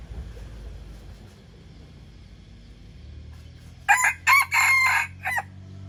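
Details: Young male red junglefowl in the wild practising its crow over a steady low rumble: a raspy crow near the end made of two quick syllables, a long held note, and a short trailing final note.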